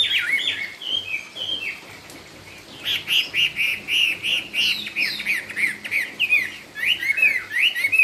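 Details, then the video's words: Chinese hwamei performing cao cầu style song: varied whistles, a short lull, then a long series of loud, evenly pulsed whistled notes repeated several times a second. "Trong rừng có cây Thông mọc thẳng, con chim hót cũng thẳng " Họa mi cao cầu""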